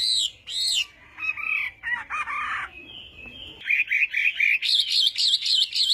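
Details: Chinese hwamei in morning song for voice training, mixing high looping whistles, rough chattering notes and a sustained tone, then a fast run of bright repeated whistled notes rising in pitch toward the end.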